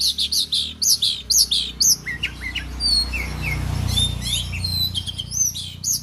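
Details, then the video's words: Oriental magpie-robin owned by a keeper in Aceh, Indonesia: loud, strongly modulated whistled notes repeated about twice a second at first, then softer thin whistles and short chirps, with low mechanical hum in the background. "kicauan Kacer"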